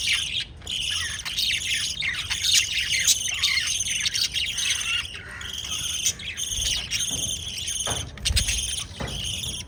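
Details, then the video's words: Pet lovebirds, kept indoors, kissing and feeding chicks, give dense shrill chirping and chattering, overlapping high notes with brief pauses near the start and around eight seconds. "LOVE BIRDS CHIRPING sounds"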